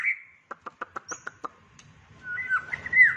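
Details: A White-rumped shama (Copsychus malabaricus) sings a quick series of seven sharp, evenly spaced clicks, then a rich, rising whistled phrase.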